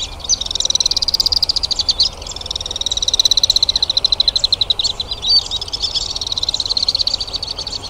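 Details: Alpine swifts recorded in Hérault, France, in July 2022, giving loud, high, fast rattling trills in long overlapping bursts, several birds calling at once with a brief pause after two seconds.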